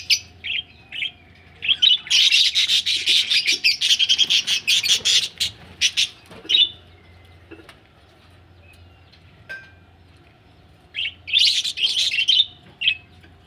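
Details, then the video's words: Budgies described as ready for laying eggs give scattered chirps, then about four seconds of dense, harsh, buzzy chatter, a long quiet stretch, and a final burst of scratchy notes. "budgies ready for laying egg"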